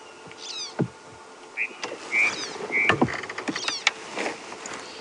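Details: On a morning safari drive at Djuma Game Reserve, South Africa, on 23 February 2016, Red-billed Buffalo Weavers in a tree, first taken for starlings, give a busy run of squeaky chattering calls and short whistled notes.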